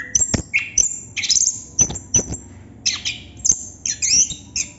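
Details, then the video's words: Short burst of Chestnut-capped thrush ngerol song, with sharp high clicks and chips, a brief whistle, and buzzy rising flourishes near the end. "Burung Anis kembang / Plontang Ngerol Non stop durasi panjang"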